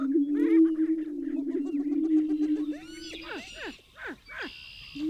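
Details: Great steppe grouse: a low humming drone for three seconds, then a series of sharp descending chirps and a high sustained whistle from other birds.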